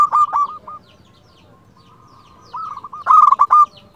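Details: Local zebra dove singing as a lure and master recording: a loud rolling coo burst, a long quiet gap with faint trailing notes, then two more rapid throaty phrases, the last loudest.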